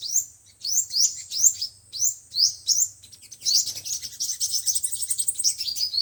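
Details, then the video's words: High sunbird song, five- and seven-coloured types, played through a speaker as a trapping lure: a run of sharp rising whistled notes about every half second, then a dense, fast high twitter. "Tiếng chim hút mật 5 màu và 7 màu dùng để bẩy loa"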